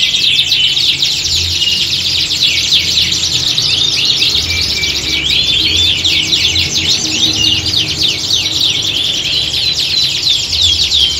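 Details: Competition-style canary chorus for training contest birds; many voices overlap in bright, rapid rolling trills and sharp repeated chips, unbroken throughout, with soft low-pitched hum in the background.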